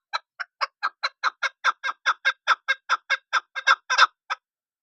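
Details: Chukar partridge calling; a loud, regular series of about eighteen harsh clucking chuk notes, roughly two to three per second, building slightly in strength before stopping, in an otherwise quiet setting.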